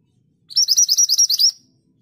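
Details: Scarlet minivet in strong song, recorded for training cage birds: a tight series of about nine piercing, rising-and-falling whistles rattled off in roughly one second, clean and free of background noise.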